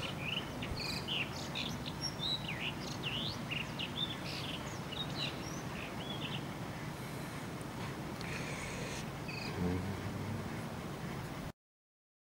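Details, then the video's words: Blue rock thrush singing at Praia do Vau, Algarve, Portugal: quick, varied fluty notes and short slurred phrases, busiest in the first half, over a steady low rumble of wind or distant traffic. "Blue-rock Thrush - Blauwe Rotslijster"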